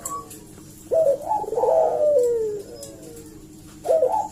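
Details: Lure call of a collared dove to provoke other doves to answer: a sharp rising onset swells into a long, slowly falling, purring coo, then a second phrase starts after a pause.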